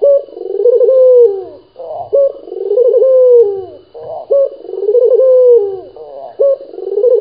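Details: Local dove in strong calling form, giving three repeated cooing phrases, each opening with a sharp rising note and then a long, wavering mid-pitched coo, with short gaps between phrases in a quiet room.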